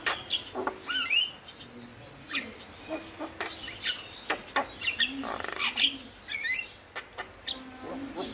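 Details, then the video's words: Male Javan myna singing as a prompt for mynas that are slow to sing; scattered squeaky whistles, sharp rising and falling notes and grating rasps, fairly sparse and mixed with low background murmur. "Jalak Kebo Jantan Gacor Masteran - Pancingan Burung Jalak Malas Bunyi"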